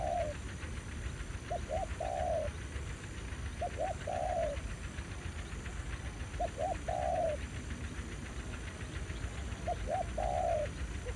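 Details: Male spotted dove in Vietnam, aggressive toward a decoy at a trapping site. Groups of two quick clipped coos followed by a longer falling coo recur every two to three seconds amid steady low noise.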